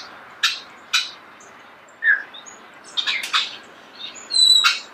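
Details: A starling, recorded close in nature, gives scattered sharp chirps and short clicks at intervals, with a brief rising whistle near the middle and a longer buzzy squawk at the end.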